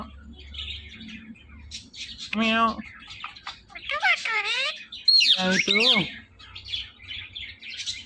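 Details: Talking pet Indian ringneck parakeet: soft chatter, then a loud nasal harmonic word, a cluster of wavering bent syllables, and a burst of mixed high whistled and nasal sounds before quieter chatter.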